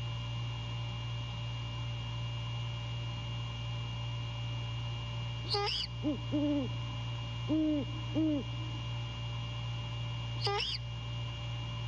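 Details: At the nest at night on 15 January 2022, a male great horned owl calls to his mate: four low hoots in two pairs, bracketed by two sharp, high descending squeals, against a steady low hum.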